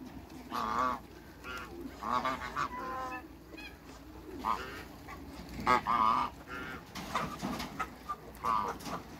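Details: Backyard pair of African geese among waterbirds in Greece: intermittent hoarse honks at moderate volume, spaced irregularly over background noise, with softer calls between louder ones.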